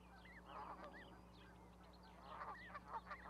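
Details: Parent goose sitting with goslings on a Charlo, Montana osprey platform, 12 May 2020; short nasal honks and arched higher calls in two loose bursts, under a steady hum.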